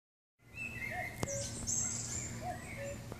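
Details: Common cuckoo in Lee Valley Regional Park near Turnford, heard continually along a walk from River Lee Navigation towards Turnford Brook, seeming to move the same way: two soft, low, falling 'cuck-oo' notes about 1.5 s apart, over other birds' chirps and steady hum.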